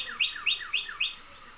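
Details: A male Northern Cardinal (Cardinalis cardinalis) in early February, switching between songs in response to another male, sings four quick, clear phrases about a quarter-second apart, each a brief rising note then a whistled slur sliding downward.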